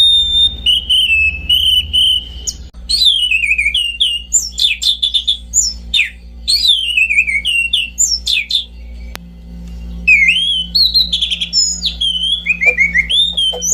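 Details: Orange-banded thrush in a long, rich song: loud whistled notes that bend up and down, rapid clipped phrases and mimicry-like twists, flowing almost continuously over a low hum.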